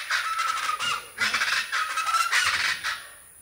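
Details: A family of three or four plain chachalacas in trees calling in a loud, raucous chorus, harsh grating phrases in three rough bursts about a second apart.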